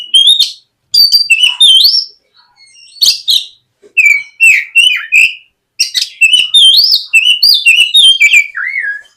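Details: Oriental magpie-robin (kacer), gacor ngeplong lure song for morning practice so untrained birds start singing quickly. Continuous varied phrases of upslurred and downslurred whistles mixed with rapid chirps, broken by brief pauses.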